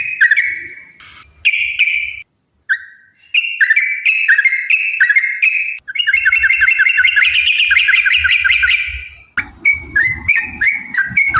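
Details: Yellow-vented bulbul in a lively 'ropel panjang' long rolling song, used as a lure to get other bulbuls singing. Bubbly whistled phrases, then a long rapid run of warbled notes, brief pauses and a closing burst of clipped chirps.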